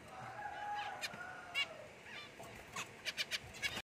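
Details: Zebra finch, one of a new pair, giving short, nasal, honking calls, scattered at first, then a quick run of five or six near the end over a faint background hiss.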